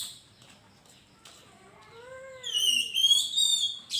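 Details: Oriental magpie-robin in lively, full song, used as a lure to prompt birds to sing: after a quiet start, soft arched low whistles give way to loud, clear high whistled phrases with sweeping slurred notes.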